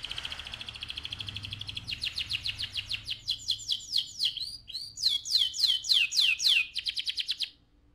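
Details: Caged AF canary, active and singing loud ngerol rolls: a soft buzzy trill builds into quick chipped repeats, then bright descending whistled notes in rapid series before stopping abruptly; low background hum throughout.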